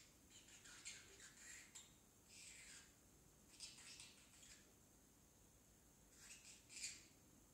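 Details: A young male pet parrotlet, still a baby, attempts talking with scratchy, high-pitched chattering squawks in short bursts of about half a second to a second, with brief quiet gaps between them.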